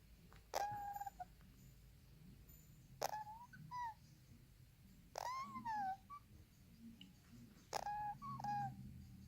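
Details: A 3-week-old male violet cleartail Indian ringneck parakeet chick, tired with a full belly, gives four thin, wavering, nasal whimpers about every two and a half seconds, each trailing into a softer note, in a quiet room.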